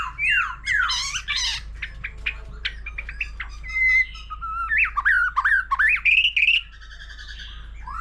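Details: Mature wild-caught white-rumped shama singing alongside a laughingthrush, in a long bout of competition song with many voices and tail flicking. Rich whistled phrases sweep up and down, with fast trills and brief slurred notes, then a pause.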